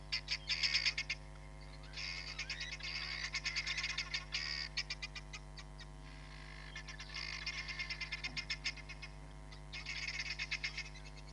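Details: Live-cam recording of a hamerkop at Nkorho Bush Lodge, 31 July 2021: bursts of quick shrill yipping notes, several per second, in chattering runs separated by short pauses, over steady low electrical hum.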